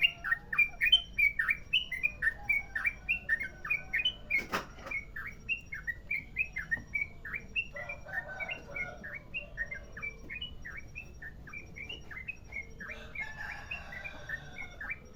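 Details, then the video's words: Sooty-headed bulbul of the merapi type singing a long rolling song: a fast, unbroken chain of short bright whistled notes over a steady background hum, with a brief knock midway. "Trucukan merapi ropel panjang"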